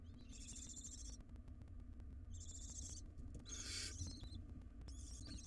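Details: Wild barn owl nestlings fighting over a big rodent in their nest box; three rasping hisses of about a second, then a brighter screech and another beginning, over steady low hum.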